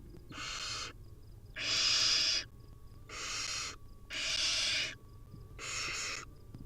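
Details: Hungry wild barn owl nestlings at feeding time give loud breathy hissing screeches lasting up to a second, five in a row separated by short quiet gaps.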